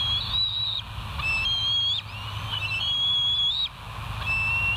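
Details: Recorded by a West End nest camera at 07:30 on 8 August 2023, bald eagles give drawn-out, high, thin whistles, each held about a second and sliding slightly, repeated several times against a steady loud hiss.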